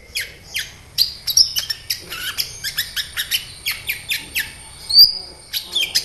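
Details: Lure song of a sunbird, locally 'kolibri ninja', meant to get sunbirds responding and singing eagerly: steady string of high, clipped chirps about twice a second, with a few thin whistled notes mixed in.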